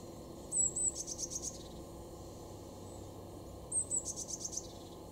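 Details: Eurasian blue tit, garden bird in Weener, East Frisia, Germany, February: twice gives two thin high notes followed by a short buzzy trill, with steady low hum behind.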